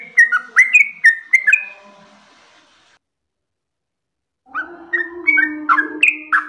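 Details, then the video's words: Yellow-vented bulbul in gacor long-rolling song: a burst of chirpy whistled notes fades to near silence, then the bird resumes with bright rising phrases over a steady low hum. "suara burung trucukan gacor ropel panjang losdol istimewa"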